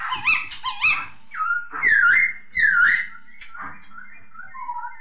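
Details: Masked laughingthrush song: quick paired rising whistles, then longer, rich, swooping whistled phrases that dip and rise, followed by softer, lower fading notes, loud and close.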